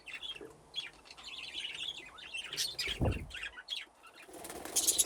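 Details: Budgerigars playing in an aviary with nesting boxes: busy high chirping and warbling from several birds, broken by a brief low whooshing thud midway, then bright squeaky calls at the end.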